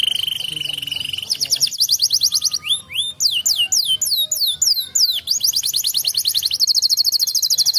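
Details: Canary song used as a lure to prompt other canaries to answer: rapid high trills of repeated notes, then a run of loud rising-falling whistled sweeps, ending in fast buzzy repeated syllables, all high-pitched and bright.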